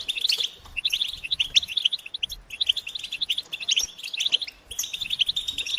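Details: European goldfinch group chatter used to get a silent male singing; phrases of crisp, high chirps and trills come in bursts, separated by short gaps, over quiet background.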